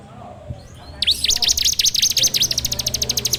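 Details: Bar-winged prinia (ciblek) song recorded on an Android phone as a training lure for songbirds: after a quiet second, a run of sharp V-shaped high whistles gives way to a fast, steady rattle of clipped high notes.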